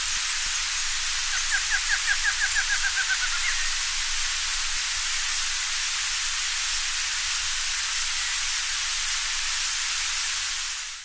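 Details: Male barred antshrike in riparian forest in Brazil, calling insistently to defend its territory after noticing an intruder: a quick, accelerating series of nasal notes lasting about two seconds, ending slightly higher, over a strong steady hiss.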